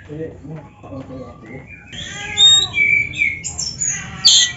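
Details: Oriental magpie-robin (kacer) song for training other birds to sing: low voices or murmuring first, then a lively burst of varied whistles and chattering high notes in short phrases.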